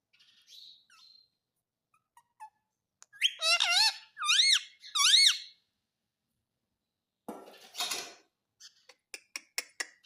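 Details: Household parrot saying "mummy" after a person says it: faint whistles, then three loud, wavy, high-pitched speech-like syllables, followed by a rustling noise burst and a run of sharp ticks.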